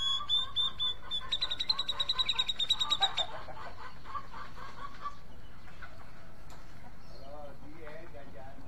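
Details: Grey-cheeked bulbul described as looking for a karaoke partner: high whistled notes become a rapid, even trill of pulses lasting about three seconds, followed by quieter scattered chatter and lower clucking notes.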